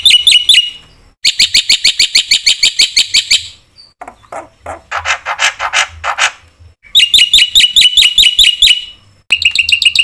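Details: Black-winged myna singing gacor with full isian, played to provoke rival mynas: fast runs of piercing repeated chirps broken by a stretch of harsher, buzzy, scratchy notes before the bright chirping returns.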